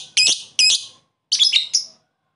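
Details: Lovebird calling a rival with koek calls: two harsh buzzy squawks close together, a short pause, then a rougher pair of shrill notes.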